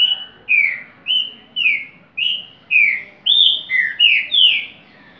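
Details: Repeating song of a rufous-bellied thrush, a run of loud whistled notes, some level and some slurring downward, delivered roughly twice a second with brief gaps, little other sound.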